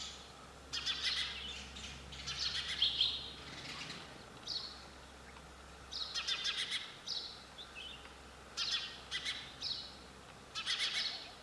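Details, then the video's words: Sparrow calling outdoors: bright, clustered chirps in short bursts about every two seconds, each burst a rapid run of high tweets, with quiet gaps and a low steady hum underneath. "Sound of sparrow bird"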